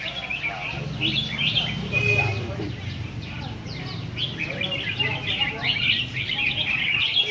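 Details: Red-whiskered bulbul at a singing competition in Vietnam, giving bright warbled phrases of quick high chirps in bursts, while a low murmur of voices and crowd noise runs underneath.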